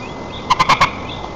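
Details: White-tailed eagle at its nest in Nizhnyaya Kama National Park, Tatarstan, Russia, during chick feeding on 4 May 2024, from a nest camera: four quick, loud, harmonic yelping notes in a short burst against steady background hiss.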